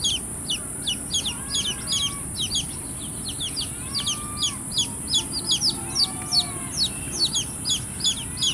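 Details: Baby chicks chirping busily, high thin peeps tumbling over one another about three times a second, with a few softer drawn-out whistles and a steady hiss beneath.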